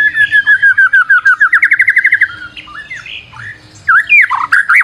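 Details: Energetic white-rumped shama song, played as a lure: a quick series of repeated whistles that speeds into a trill, then looping slurred notes and harsh, squawky phrases.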